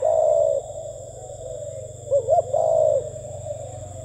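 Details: Spotted dove cooing: a low, steady coo with a short two-note warble in the middle, followed by another drawn-out coo, over a constant high electronic whine and low hum.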